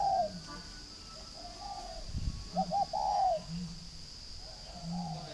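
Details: Spotted dove at a farm in Ba Vì district, Hanoi, northern Vietnam: soft cooing notes, then a quick two-note stutter and a long sliding coo, over a faint background hum and a brief low thump.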